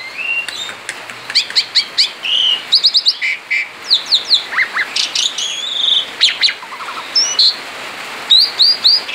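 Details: Male Asian pied starling singing gacor ngerol outside the cage: quick chattering clicks and short whistles, a few slurred downward notes, steady rapid bursts throughout over a faint hiss.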